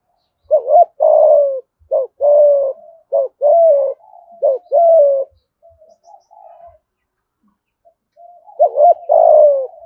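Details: Spotted dove, Đồng Nai, Vietnam, performing 'thúc gù' in the 'giọng thổ' style: about six rapid, closely spaced coo phrases, each a short note and a falling coo, then a quiet pause and one more phrase.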